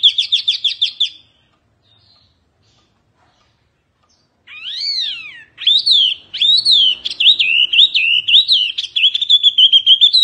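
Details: Fierce Oriental white-eye singing, in a recording for tutoring birds. A quick trill of high chirps stops and leaves a few seconds of silence. Then come rising and falling swoops and a long chattering twitter.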